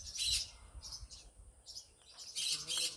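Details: Morning calls of a happy green conure: repeated harsh, hissing squawks in bursts, the loudest at the start and the end, over steady background noise.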